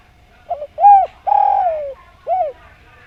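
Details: Javanese spotted dove singing in the steady, melodious 'nglaras' style: a soft stuttered double note, then a rising-falling coo, a long drawn-out coo sliding downward, and a final short falling coo, all low and mellow.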